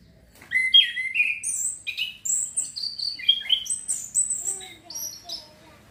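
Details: Orange-headed thrush, a young male still learning its song, practising the ngeplong ngecir style and used to coax young birds into singing; a rapid, unbroken run of sweet whistled notes and slurred trills that shift abruptly in pitch, ending with softer low notes.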